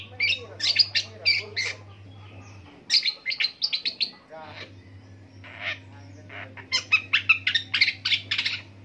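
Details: Long-tailed shrike mimicking many bird species in a prolonged song: rapid high chirps and trills, a brief raspy buzzy passage in the middle, then dense sharp repeated notes; a steady low hum runs underneath.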